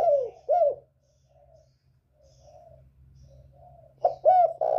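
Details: Northern spotted dove with a 'còi bổi' voice, kept to provoke other birds: two short descending coos, a quiet gap with faint murmurs, then a fresh burst of full coos at the end.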